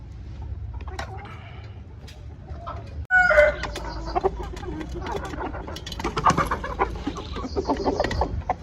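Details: Chickens on a poultry farm cluck and call among themselves over a low background rumble, with a louder burst of calls after a short break.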